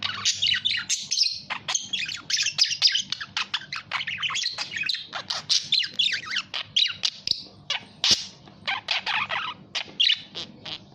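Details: Budgerigar giving a long run of rapid scratchy chirps and squawks, busy and almost unbroken warbling throughout.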